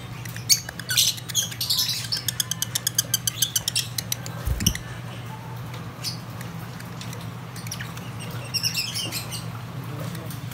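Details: African lovebirds: a quick run of sharp, shrill, squeaky chirps, then a short pause and another burst of high chatter near the end, over a steady low electrical hum.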